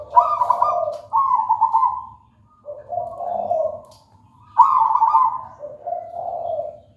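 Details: Local wild-type zebra dove singing actively: trilled, bubbly coos in two pitch levels, a higher rolling phrase stepping down to a lower purring one, repeated after a pause, over a faint low hum.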